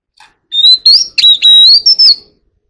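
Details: Oriental magpie-robin singing a wild-style song to call the flock: loud, clear whistled phrases, a sustained rising whistle broken by sharp slurred notes and short chirps across about two seconds, then silence.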